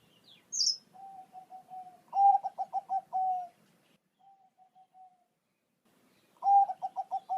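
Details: Bangkok-type zebra dove song, used as a training recording to make pet doves answer: staccato coos that run into a trill and end in a drawn-out note, a softer phrase, then the song again. A high chirp from another bird near the start.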